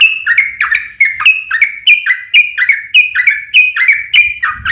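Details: Yellow-vented bulbul fighting song intended to trigger other birds to reply, a fast series of clear slurred notes with high clicks, roughly two phrases per second, with a low thump at the end.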